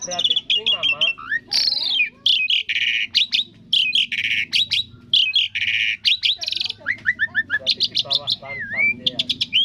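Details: Jalak suren, the Asian pied starling, delivering a 'seribu suara' song of many voices: swooping whistles, harsh buzzy bursts and fast stuttering trills that run together almost without pause, over soft background music.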